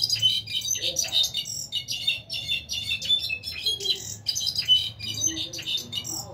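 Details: Caged brown-backed solitaire, one of six kept birds, singing in the 2020 season: a dense, continuous run of high, bright, metallic whistles and quick trills tumbling in rapid phrases, with short pauses and little background noise.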